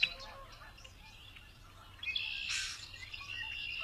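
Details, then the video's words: A red-winged blackbird gives a couple of short sharp notes, then a harsh, buzzy trill lasting under a second; faint high chirps from other birds come before it. "تغريد طائر الشحرور احمر الكتفين"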